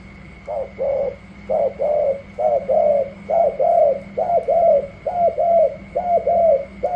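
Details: Wild-caught spotted dove from Cà Mau, newly acquired, cooing in the gù la style while competing against another dove: about ten two-part coos, a short note then a longer falling one, repeated roughly every 0.9 seconds, over a steady faint electrical hum.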